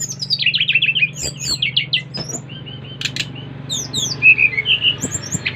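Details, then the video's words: Five-month-old Bali brown-chested jungle flycatcher, July 2024, used to prompt others to sing, delivers quick runs of high whistled notes and short trills with scattered clicks, backed by a constant low hum. "Kicauan SRDC Bali Gacor memancing Srdc lain ikut gacor"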